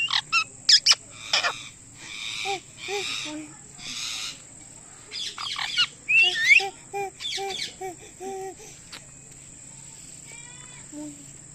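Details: Indian ringneck parakeet calling with loud chirps: rapid bursts of high chirping notes, some buzzy and harsh, mixed with lower nasal, voice-like repeated syllables, then a quiet stretch near the end.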